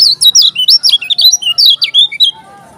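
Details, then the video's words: Loud, energetic song of a Lombok kecial kuning: a dense chain of high, looping, sweet whistled notes in quick succession for over two seconds, ending abruptly. "KECIAL KUNING TAK PUNYA NAMA, JOSS NGAMUK‼️ TAK TERBENDUNG"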